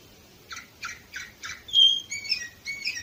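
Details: Orpheus canary recorded in Varna, Bulgaria, in 2018, giving four evenly spaced chirps followed by loud, pure whistled notes and a short trill.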